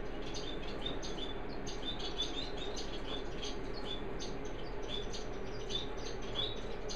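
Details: Zebra (orange-breasted) waxbills preening and cuddling, giving thin, high chips and short tseep notes in loose bursts every few seconds over a steady low hum.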